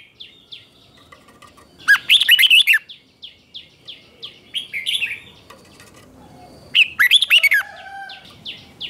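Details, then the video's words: Red-whiskered bulbul giving morning training song in the ché style to rouse wild-caught birds: three dense, warbled phrases stand out over a string of soft, regularly repeated short chirps running throughout. "Luyện chào mào hót sáng 2024, QUÁ HAY - CHÉ KÍCH BỔI CĂNG ĐÉT, luyện chào mào hót căng lửa"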